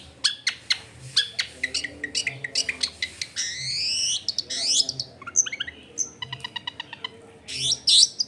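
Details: Long-tailed shrike in full song, used as a lure to set other shrikes singing. Recorded at a home in a crowded area. Rapid ticking notes, rising sweeping whistles, buzzy rattles and sharp chips change quickly over a low background rumble.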